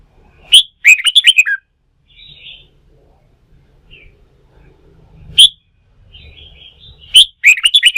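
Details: Newly wild-caught red-whiskered bulbul stimulated to sing during song-fighting training: bright, bubbly phrases of quick whistled notes under a second long, with a sharp opening note. Softer chatter comes between phrases, and there is faint low rumbling.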